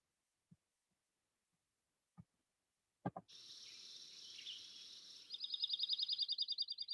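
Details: Dark-eyed junco from Montana giving its short song: a few clicks and a hissing high wash, then a quick, high, even trill of repeated notes lasting under two seconds.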